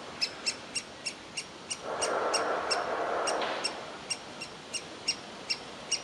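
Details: Nestling woodpecker in a tree hole demanding food rather than leaving; evenly spaced sharp high calls, partly drowned midway by a stretch of rushing noise before resuming clearly.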